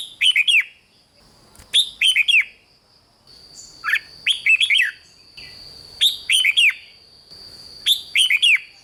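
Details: Red-whiskered bulbul song, used to rouse caged birds: five closely repeated phrases of three or four bright, bouncing, downward whistles about every one and a half seconds, with a steady high background tone.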